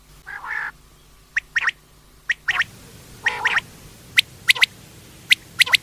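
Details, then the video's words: Quail giving a few harsh, buzzy squawks, then sharp, high clipped chips in quick pairs and triplets over about six seconds, against a quiet background. "quail sound"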